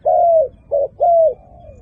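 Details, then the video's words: Fine-voiced dove giving three mellow coos: a long slightly falling hoot, a short clipped note, another long hoot trailing into a soft fading tail. "លលកធ្នាក់ម៉ាលេសម្លេងល្អ AmazingDove"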